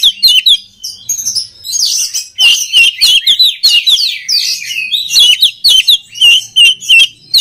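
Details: Song of an oriental magpie-robin meant to train other birds: bright whistled notes mixed with harsh scratchy bursts in quick succession, steady and loud throughout.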